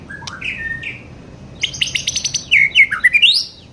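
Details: Young white-rumped shama singing: sliding whistles near the start, then a burst of rapid buzzy, rattling notes followed by loud looping whistled phrases that rise sharply at the end, in a quiet room.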